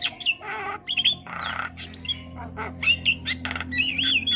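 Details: Jalak starling for bird training: wavering whistles and sharp squeaks broken by harsh rasping bursts, over a steady low droning hum.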